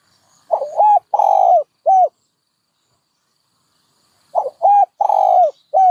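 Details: Two cooing phrases from a dove, separated by over two seconds of silence, each made of quick arched hoots and one drawn-out falling coo.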